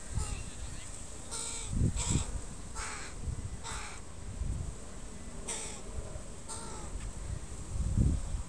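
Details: Crow family with young birds in a park on a Sunday, the parents calm near a familiar person. Six harsh, nasal caws come at uneven intervals over eight seconds, above a low rumbling background.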